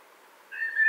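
A Common Blackbird gives a single mellow, fluted whistle that swells and holds steady for under half a second after a quiet start.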